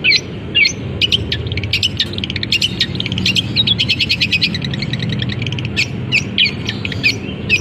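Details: Long-tailed shrike kept in a cage sings imitations of canary, sparrows fighting and kapas tembak with its cover opened: rapid, nearly continuous chattering trills and high chirps, dense and energetic. Low rumbling noise beneath.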